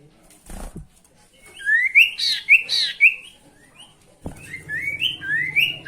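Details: Sooty-headed bulbul, a kept bird, sings a lure song meant to provoke rivals: a few loud rising whistled notes with fainter slurs after them, plus knocks and handling noise.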